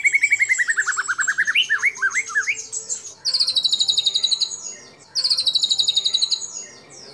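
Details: White-rumped shama singing a song loaded with imitated calls of sooty-headed bulbul, cililin, lovebird and canary, for training other shamas: a descending rippling trill and twisting slurred notes, then two bursts of fast, very high rattling trills.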